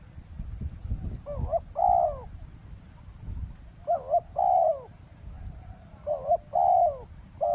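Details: Spotted dove used as a decoy for ground trapping of wild doves beside a road in Thailand. It gives loud, hoarse cooing phrases, a short double note followed by a long drawn coo, repeated three times over low rumbling background.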